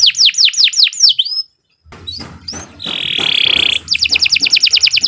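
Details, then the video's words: Canary master song for teaching young birds: a run of swooping whistled notes, a short silence, a few soft chips, a harsh buzzy rattle, then a rapid even trill of repeated notes. "Kicau Burung Kenari 90 II GACOR PANJANG Cocok untuk Masteran"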